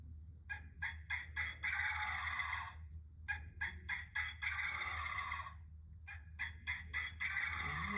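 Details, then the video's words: Wild Turkey gobbling three times, each a rapid stuttering burst of notes running into a long, loud rattling gobble, about every three seconds over a low hum. "That's what a real turkey sounds like."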